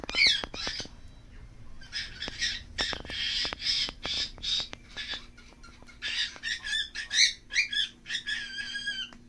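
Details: Scaly-breasted parakeet meeting a group of cockatiels, a run of rapid harsh squawks and chattering notes, some short whistled calls near the end, with faint clicks between.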